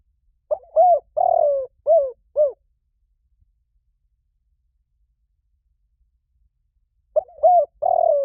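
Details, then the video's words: Spotted dove used as a lure bird, giving a coo phrase of two short hooked notes, a longer drawn coo and two more short notes, then a pause of about five seconds before the phrase begins again, clean and quiet background. "Tiếng chim cu gáy mồi chuẩn cực hay"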